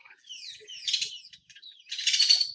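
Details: Great-tailed grackle in a suburban backyard in Phoenix, Arizona, giving loud, harsh, high, noisy calls: a squeaky rising phrase, then a loud grating burst near the end.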